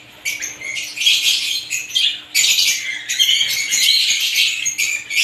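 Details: Many different lovebirds give high, harsh chatter in a few long bursts, broken by short lulls, each burst a dense tangle of scratchy chirps.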